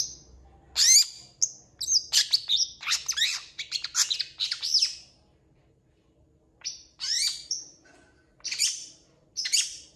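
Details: Long-tailed shrike song with mimicry of other animals: bursts of rapid high chirps and harsh sweeping notes, a silent pause midway, then separate squeaky phrases repeated at intervals.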